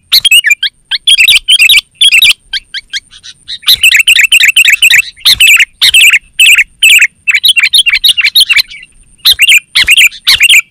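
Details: Kutilang, the sooty-headed bulbul, singing in the energetic gacor style used as a lure and training recording. Dense runs of loud, liquid chirps fire almost continuously, with a brief lull near the middle, over a constant thin high tone.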